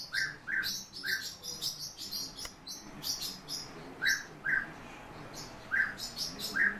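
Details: European bee-eaters give soft, rolled single and paired notes. A near-constant layer of fine high chirping sits above.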